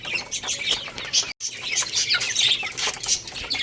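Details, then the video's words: Baby chickens playing and eating give a dense chorus of high, overlapping chirps and peeps, with a short break partway through. "Cute Little Chicks Chirping Sounds | Baby Chicken Playing and Eating"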